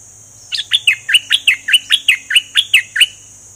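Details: Double-style singing from a bulbul in full plumage: a rapid series of about twelve bright, falling whistled notes over two and a half seconds, evenly paced, against a faint steady high tone.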